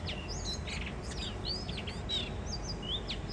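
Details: Blue rock thrush song in spring 2023, a wild mated pair singing for the first time that year at a balcony in Shonan, Japan: arched sweeping whistles and short buzzy chatter, with steady low hum behind.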